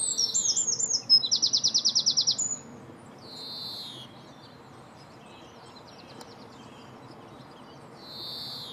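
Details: European greenfinch calling while feeding, recorded in 2017: a few high twittering notes, then a fast rattling trill of about a dozen pulses lasting over a second, followed by quieter scattered chirps.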